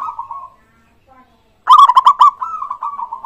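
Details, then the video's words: Zebra dove, a local bird, in song meant to draw replies from other doves: a soft purring trill fades out, then after a pause a loud staccato string of coos rolls into a wavering trill. "pancingan burung perkutut gacor suara disukai bikin cepat bunyi langsung nyaut manggung gacor"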